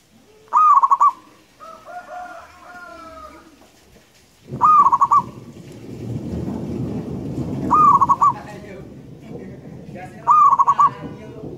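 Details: A local wild zebra dove sings repeated pulsed coo phrases: a brief upslurred note, then rapid rolling beats. It repeats about every three seconds against a rushing, noisy background with a few fainter drawn-out calls.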